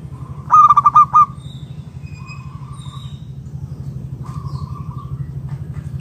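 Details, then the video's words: Local zebra dove singing as a lure to draw other doves into calling: a quick series of loud, clipped pulsed coo notes, then drawn-out level hooting tones, with a constant low background hum. "Perkutut lokal gacor RAJA PIKAT Ahlinya Bikin Semua Burung Perkutut Gacor Nyaut"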